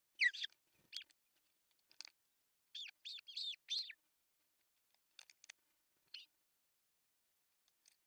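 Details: Morning at an osprey nest in Finland, June 10, 2024, as the male delivers a big floppy fish; a cluster of shrill arched whistles in the first four seconds, then a few faint chirps.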